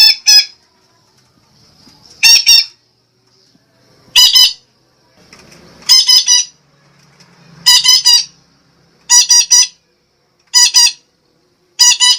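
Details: Lure recording of a red-breasted parakeet from Sumatra, meant to draw in birds: loud, harsh squawk pairs and triplets repeated roughly every one and a half to two seconds, with quiet between.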